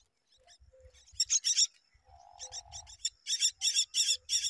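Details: A myna protecting its nest gives harsh, broadband rasping notes in rapid bursts, about three a second, with a brief lower whistle between them.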